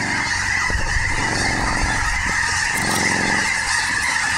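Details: A dense flock of snow geese at Snohomish gives rapid, overlapping high honks in an unbroken clamour, with faint low rumbling beneath.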